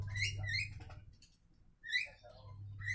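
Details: Javan mynas exchange quick rising whistles and softer mid-pitched chatter, broken by a short pause, above a faint steady hum.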